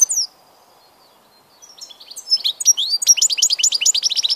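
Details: European goldfinch, also known as grdelin, chardonneret and el jilguero, recorded 16 March 2014; after a brief opening note and a pause, rapid high twittering builds into a dense run of short repeated tinkling notes.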